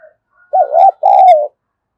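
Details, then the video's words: Spotted dove used as a lure to call in wild doves gives two mellow coos: a wavering rising-falling note and a longer level one that sinks slightly at the end, with faint ticking above. "cu gáy mồi gáy gọi bổi nhanh về cội và mồi nhạy gáy, cu gay kich boi nhanh noi gù"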